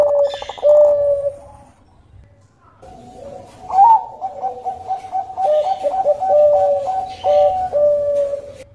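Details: Zebra dove of the Bangkok type (perkutut Bangkok) used as a lure recording: a burst of rapid coos, a quiet gap, then a rising lead note followed by a long run of quick, evenly pitched cooing notes.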